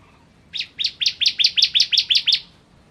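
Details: Ciblek kristal, or bar-winged prinia, producing a rapid string of about ten loud, high, clipped notes at an even rhythm, lasting under two seconds.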